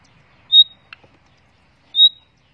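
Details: A caged breeding common nightingale gives two pure, high, level whistled notes about one and a half seconds apart, with a faint click between them.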